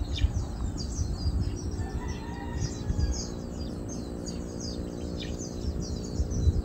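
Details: High, thin chirps from feeding chestnut munias pour out in quick overlapping bursts, recorded 7 August 2022; a few faint lower whistled notes and a constant low-pitched hum sit beneath them.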